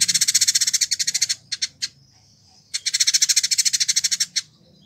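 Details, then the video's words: Caged Village indigobird (Vidua chalybeata) from Bandung, West Java, Indonesia, kept a year and used as a singing tutor. Long machine-gun trills of harsh buzzy notes, broken by a brief thin whistle, then another trill. "Burung Masteran : Village Indigo Gacor"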